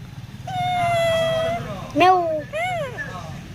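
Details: Talking Indian parrot, caged at the Mirpur 1 bird market in Dhaka, Bangladesh, on 20 November 2023, mimicking words: a long nasal harmonic tone, then a sharp rising note and short arched syllables like clipped speech. Low crowd murmur underneath.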